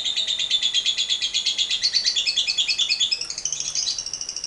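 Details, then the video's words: Long lovebird chatter of the 'ngekek panjang' kind, meant to prompt other lovebirds: a steady stream of rasping, buzzy pulses in two bands, rising briefly near the end into higher squeaky notes. "TERAPI AMPUH LOVEBIRD NGEKEK PANJANG"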